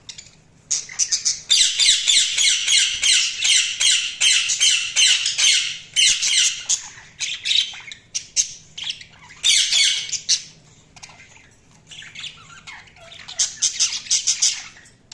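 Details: Budgerigars chirping in a busy stream of rapid, harsh, high-pitched squawks and chatters, bunched into dense bursts with short pauses between them, several calls overlapping at times.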